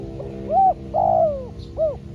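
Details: Trained spotted dove decoy calling during trapping. A short soft lead note is followed by a longer drawn coo, then a brief final coo, all mid-pitched and mellow, over a low background hum.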